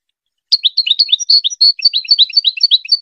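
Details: Goldfinch song to teach hybrid chicks: an unbroken stream of quick, high, tinkling twitters mixed with short buzzy and whistled notes, running for about two and a half seconds in clean silence.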